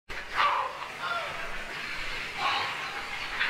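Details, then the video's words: Grey heron, a large waterbird, gives harsh, hoarse croaking calls about two seconds apart over a steady background hiss. "czapla, dźwięki i śpiew czapli"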